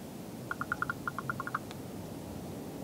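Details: Raven, apparently a young female, in late November–early December, giving a quick run of about a dozen short, hollow knocking notes in just over a second, over a low background rumble.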